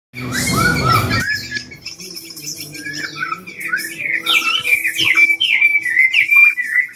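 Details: Tame caged Chinese hwamei of the Cao Bằng type, three seasons old, said to sing well all day. After a loud opening burst, it pours out clear whistled phrases that slur up and down in a quick, varied run.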